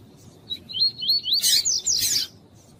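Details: Captive female double-collared seedeater (coleiro tuí-tuí) calling to stimulate a male, a recording meant to warm up birds for tournaments; a thin, high, wavering run of twittering notes, then two loud harsh bursts with fast trills.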